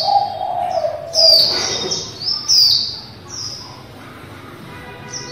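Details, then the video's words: A female white-eye gives her líu song, meant to prompt white-eyes to sing. Sharp, high, falling chips come in quick clusters after a lower sliding whistle at the start. "Khuyên mái líu đẳng cấp THẾ GIỚI"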